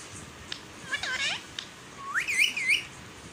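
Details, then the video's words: Pet parrot talking in Balochi: a hoarse, harmonic, voice-like syllable, then a rising whistle that breaks into two quick wavy whistled notes. "My sweet parrot talking in balochi"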